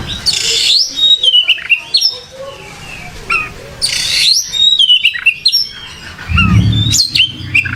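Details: Oriental magpie-robin singing vigorously: a varied run of clear whistled phrases, sliding and falling notes, broken by buzzy, scratchy bursts, with a brief low thump near the end.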